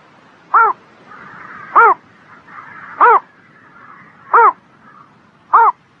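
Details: Five short, rasping, arch-shaped notes from a bird singing on a spring morning, evenly repeated about every 1.2 seconds, with low twittering from other birds in the background.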